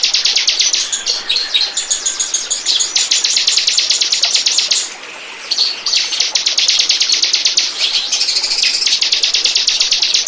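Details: Bar-winged prinia lure recording meant to attract birds: dense, continuous trains of high, sharp notes repeated very rapidly, with a short quieter gap around the middle before the trilling resumes.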